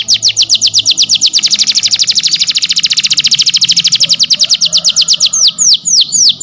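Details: Canary song used to tutor silent canaries: sharp descending notes speed up into a dense, rapid rattle lasting several seconds, then slow again into separate, spaced, down-slurred chips.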